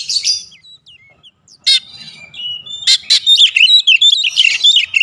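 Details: Oriental magpie-robin (kacer) singing: sharp high chirps and short slurred whistles at first, then a dense run of varied warbled phrases, bright buzzy notes and sweeping whistles that grows louder and busier toward the end.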